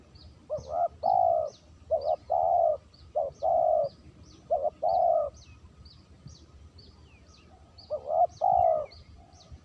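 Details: Spotted dove calling clean as a lure: five phrases of a brief broken coo plus a long hollow note, repeated about every 1.5 seconds. Faint high chirps from small birds sound throughout.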